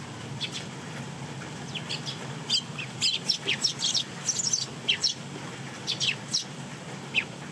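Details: Fledgling Eurasian tree sparrows, soaked by heavy Golden Week rain, visit a balcony to feed while adults hold back until the young are full; quick high chirps in clustered bursts over a steady hiss of rain.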